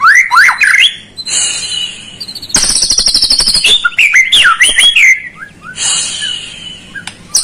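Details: White-rumped shama song used to provoke a lazy bird into singing: rich varied whistled phrases with rising and falling notes, interrupted by a burst of rapid high buzzy trills and sharp clicks.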